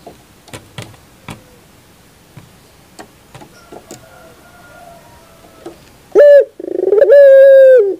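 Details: Barbary dove on a bird-training recording. Faint clicks and soft scattered notes at first, then a loud brief note and a long, steady, pure coo near the end.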